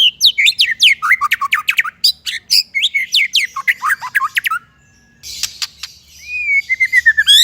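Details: White-rumped shama song used as a training recording for young birds and birds that have stopped singing: a rapid run of loud, sharp, downslurred whistles, then a pause, then clicking bursts and a rising, drawn-out whistle.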